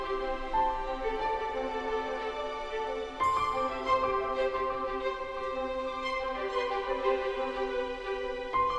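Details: Slow, sad orchestral music with sustained violin notes and no natural sounds.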